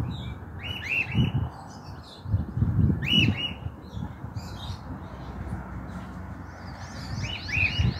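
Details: A free-flying cockatiel, apparently an escaped pet, found on a house rooftop in Mexico in 2023, gives short, bright, arched chirps in clusters of two or three, a few seconds apart, over a low rumble of wind or handling noise.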